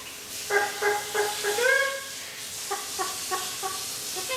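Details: Pet Eclectus parrot, a one-year-old male kept indoors, clucking like a chicken: four evenly spaced harmonic clucks, a brief rising whine, then a second run of softer clucks roughly every third of a second, with constant hiss behind.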